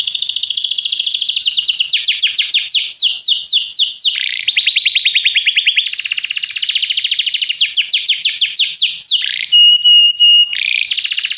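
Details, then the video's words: Canary song for training, a loud continuous run of rapid trills and tours: fast repeated downward sweeps, buzzy rolls and steady pure whistled notes, high-pitched throughout with no other sounds. "treinamento canário - seu canário cantará muito se ouvir isso"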